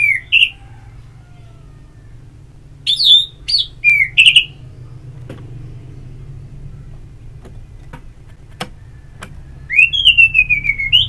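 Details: Orange-headed thrush song used as ngeplong therapy audio to stimulate singing: short slurred whistled phrases near the upper-middle range, separated by long pauses, ending in a quick rising-falling series; faint low rumble underneath.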